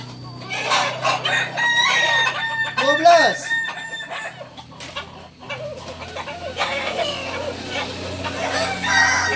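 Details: Sunday crowing of Kukuak Balenggek roosters at Ampangkualo: layered, wavering crows with a clear down-sweeping note near three seconds, then continuing overlapping crows amid crowd murmur.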